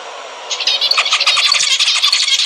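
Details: Zebra finch song played to stimulate mating: a busy burst of high chattering, buzzy notes and short squeaks starting after a half-second pause, dense and continuous to the end.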